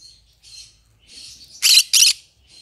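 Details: Green-cheeked conure kept as a pet, singing: soft, high chattering chirps, then two loud, harsh squawks in quick succession, followed by a faint chirp.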